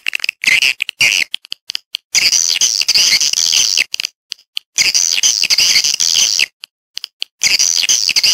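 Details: Swiftlet calls played to draw swiftlets into a bird house: harsh, raspy high-pitched chattering in long bursts separated by short silences.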